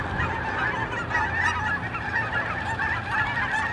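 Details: Migrating geese at a park, a dense chorus of overlapping nasal honks from many birds, continuous throughout with no pauses.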